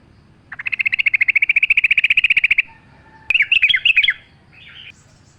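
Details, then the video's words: Sooty-headed bulbul in a lure recording with nature sounds, meant to prompt other birds: a two-second trill of rapid, evenly repeated chirps, then a brief jumbled burst of warbled notes and a faint closing phrase. "pancingan trucuk gacor mewah full suara alam"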